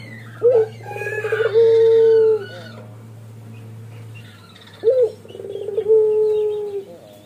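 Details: Male spotted dove repeating its long song twice: a sharp rising note, a rapid rattle, then a sustained falling coo. Background bird twitters and a low hum are present.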